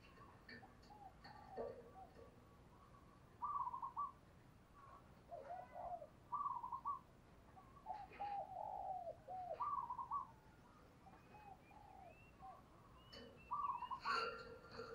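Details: Decoy spotted dove calling wild doves with repeated soft cooing phrases spaced a few seconds apart. Faint higher chirps, occasional clicks and steady background hiss accompany it.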